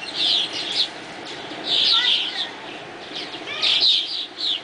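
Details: Swallows chattering at dawn: bursts of high, bright twittering notes come in three clusters, with a few thinner rising chirps in between.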